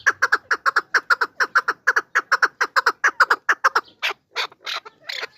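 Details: Rapid, regular chuckling series from a partridge, roughly two notes per second, then a few louder, higher, hoarse squawking notes at the end.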